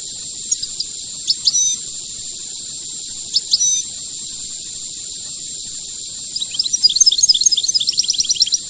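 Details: Goldfinch in the rare khelwii song style: a few sharp chirps and short slurred notes early, then a fast, dense tinkling twitter near the end, all over a constant high, thin hum.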